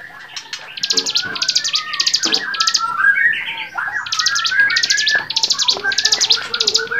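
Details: Bar-winged prinia singing on a training recording for songbirds, a lively mix of rapid buzzy trilled bursts, lower whistled slurs and chattering chips running almost without pause.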